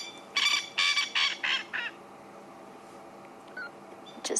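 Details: Male Coqui francolin calling at sunset, answered by another male a bit further away: five loud, rasping nasal notes in quick succession, then a quiet gap with faint distant sounds and a brief harsh note at the end.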